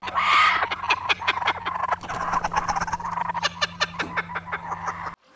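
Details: A laughing kookaburra in Australia, the largest kingfisher, gives a loud, rough, cackling laugh: rapid choppy notes that build and tumble on for about five seconds over a faint steady hum.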